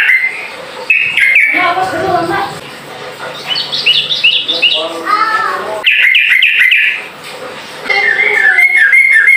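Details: Ropel-style song of a sooty-headed bulbul that calls rivals to respond; dense runs of rapid whistled and bubbling notes, some stepping down in pitch, with brief gaps between busy phrases.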